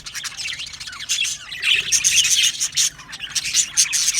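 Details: Aviary budgerigar colony from Australia in full chorus: bright, squeaky twittering and whistled chirps overlapping throughout, with a louder stretch of warbling midway and steady high chatter to the end.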